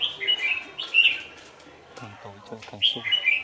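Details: At a dusk trapping site on 27 November 2018, a decoy red-whiskered bulbul gives two loud, rich warbled phrases with a quiet gap between them, where a run of low knocking pulses is heard.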